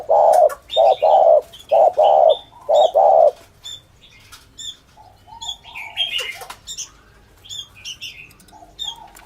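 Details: Spotted dove recording used by trappers to lure doves: four loud, low, hollow coos in a steady series, then quieter, with scattered high chirps from other small birds.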